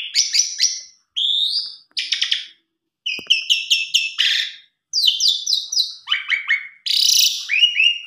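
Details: Asian pied starling rich fill-in song, played to get a reluctant or stressed starling singing: short groups of harsh chattering notes and whistled slurs, each burst separated by brief silences.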